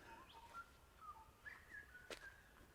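A butcherbird sings a soft, fluted run of clear whistled notes that step up and down in pitch, with one sharp click near the end.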